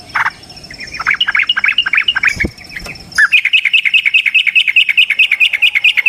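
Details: Trucukan, the yellow-vented bulbul, singing a long fighting song to spur other bulbuls: bouncy chirped phrases, a brief break, then a dense, steady stream of rapid bright notes.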